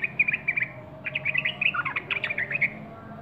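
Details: A sooty-headed bulbul sings a quick run of chirpy whistles, then a denser burst of twittering slurred notes, over a steady low hum.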